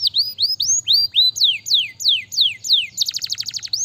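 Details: Canary singing to stimulate lazy canaries: series of loud curved whistles, first rising then long descending sweeps about every quarter second, ending in a rapid buzzy trill and one rising note.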